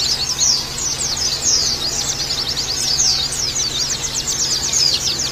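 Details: Oriental white-eye song meant to make birds sing open-beaked: bright, rapid upslurred and downslurred chirps in a dense chorus-like stream, with a low steady hum underneath.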